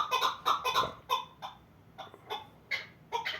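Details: Chukar partridge of the Pamir giving irregular clucking notes, a quick loud cluster at first, then scattered single chuck sounds with short pauses between.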